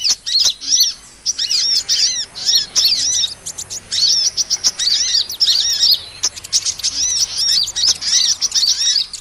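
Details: Lure recording of hummingbird calls for small-bird trapping: sharp ticking clicks mixed with fast runs of thin, high squeaky notes in irregular bursts.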